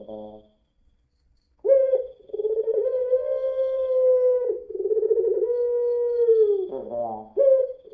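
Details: Lure song of a puter pelung dove, a long-voiced type. A short rough note, a pause, then long drawn-out coos with a faint tremble, a raspy cough-like break, and another coo.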